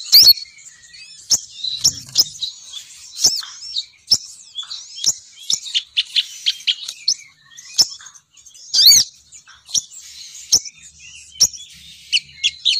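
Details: Female sogon bird lure call, said to make males descend in numbers: long, busy high twittering and chirps punctuated by frequent sharp clicks.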